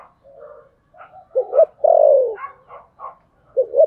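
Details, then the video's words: Spotted dove, thổ sấm voice, thúc gù cooing. Soft low notes lead into a strong phrase with a drawn-out falling coo. Brief higher notes follow, then a new double note starts. "cu gáy giọng thổ sấm thúc gù"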